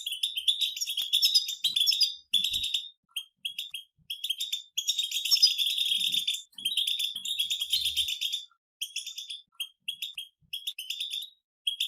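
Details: Collective 'batbata' chattering of European goldfinches from nature: long runs of fast, liquid twittering and buzzy rattles from several birds, interrupted by short silences, with scattered faint low knocks in the background.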